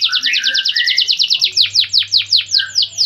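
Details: Canary song made of rapid, evenly spaced high chirps, then slower, louder downward-slurred notes repeated about four times per second. A soft low hum is heard underneath.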